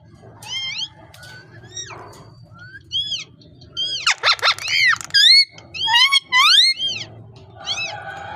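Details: Parrot vocalising in a busy string of squeaky whistles, looping warbles and harsh bursts, speeding up into rapid wavering notes midway, then slowing to a few last chirps.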